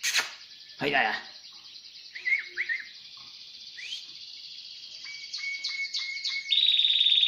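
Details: Song of a Timbrado canary: a sustained rolling trill with scattered upward-slurred chips and a loud noise burst early on. It finishes with a series of short clipped notes and a piercing high sustained tone.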